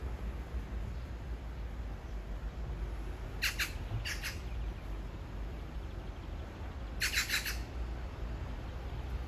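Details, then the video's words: A magpie's love serenade to a mate only a few meters off: short, harsh, scratchy squawks given singly, then again as a quick rasping burst a few seconds later, with a constant low background hum throughout. "까치의 사랑(몇 미터 옆에다 두고)"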